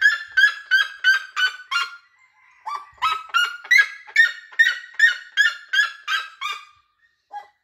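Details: Red-legged seriema giving a fast run of shrill, barking yelps that drop slightly in pitch, a short pause with faint notes, then a fresh climbing series of loud yelps repeated roughly every third of a second.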